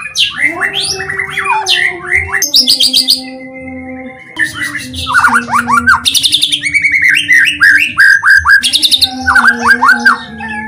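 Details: Shama (white-rumped) lure song to get other shamas singing nonstop: bursts of buzzy rattles alternate with ringing downslurred whistles and quick trills, separated by brief pauses, over a persistent low drone.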